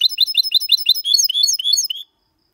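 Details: A goldfinch-canary hybrid sings its clean 2022 copiaMalaga song: about two seconds of quick, evenly spaced high chirps that slide into slurred whistles before stopping abruptly.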